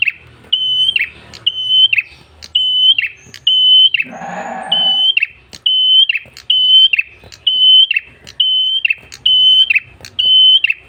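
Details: Red-headed tailorbird singing vigorously, used for luring other birds: a long series of level whistled notes, each closed by a quick descending rattle, about one per second, with a brief rough noise burst midway.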